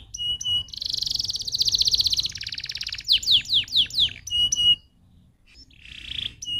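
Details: Canary song played to stimulate other canaries: sharp repeated chip-like notes, a loud fast buzzy trill, a run of descending slurs, then a pause before a softer trill.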